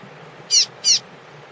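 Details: Double-collared seedeater warming up for a tournament with a female present gives two bright, high notes, 'tui-tui', about a third of a second apart, over only a faint low hum.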